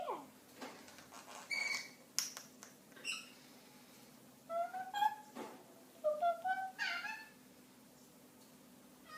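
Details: A pet Eclectus parrot ("Ducky") chatters indoors in short harmonic, speech-like bursts. Some bursts rise and mew, in two clusters with brief quiet gaps between, over a room hum.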